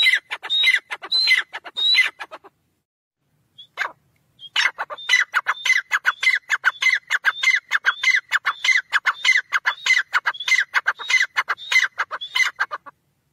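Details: Francolin call series: scratchy, squawking notes with bright rising whistles, a brief burst, a pause of about two seconds, then a long, fast, regularly repeated run of the same phrase.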